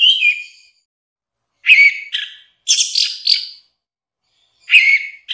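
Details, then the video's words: Orange-headed thrush producing short, rich bursts of warbled, slightly harsh notes at a moderately high pitch, in groups of two or three with brief pauses. "Kumpulan suara istimewa Burung Anis Merah"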